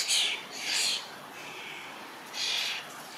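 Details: Young starling fledglings in a large berry bush, waiting for a parent to feed them, give harsh, hissing rasps: two quick bursts, a pause, then a third.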